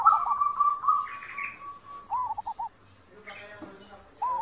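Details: Zebra dove song used as a master recording for training captive birds to sing: a soft rolling trill of cooing notes, then short stuttered coos in bursts, with a second overlapping bird and faint background noise.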